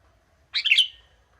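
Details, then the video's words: Young wild sooty-headed bulbul singing steadily in the monotone 'gacor monoton' style, its typical natural voice: one short, bright, bubbly chirped phrase under half a second long, falling slightly at the end, over a quiet background. "Burung kutilang gacor monoton"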